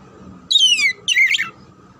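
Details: Oriental magpie-robin song played to train birds for singing contests: two loud, descending slurred whistles, the second more warbled, over a faint steady hum.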